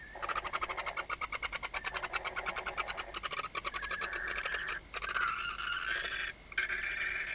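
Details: Barn owl (Tyto alba) inside a nest box at Riet Vell reserve, Ebro Delta, on the night of 21 October 2025 with a second clutch, as the father brings prey: rapid, harsh chittering for about three seconds, then long breathy hissing screeches.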